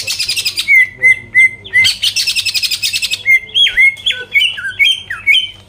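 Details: Lure song of an actively singing greater green leafbird, used to make rival birds angry and respond: harsh buzzy rattling phrases, a run of even whistled notes, then twisting slurred whistles dipping and rising in quick succession.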